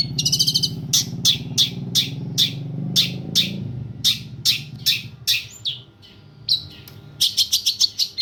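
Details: Long-tailed shrike song used as tutoring material for other birds: a rapid series of harsh, scratchy chirps, about 150 per minute, over a low rumbling background that fades after the first five seconds.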